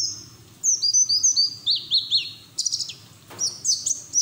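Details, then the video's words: A white-eye sings open-billed in a rapid, high twittering run of thin slurred whistles and chirps, rising and falling, with a faint low hum underneath. "PLECI NGERIWIK TELER BUKA PARUH NGALAS"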